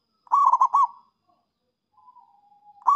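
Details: Zebra dove (perkutut) singing to attract rival birds: a rolling coo phrase, then a faint level whistle, and the start of the next phrase.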